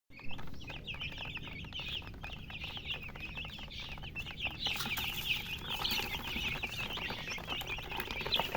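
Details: Baby chicks chirping: a dense chorus of short, high peeps, many overlapping and repeated rapidly throughout, with a steady low rumble and scattered taps underneath.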